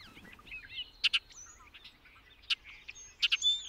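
A Bobolink's bubbling, high jumble of tinkling notes and quick slurred whistles, broken by loud paired metallic chips, over faint background hiss.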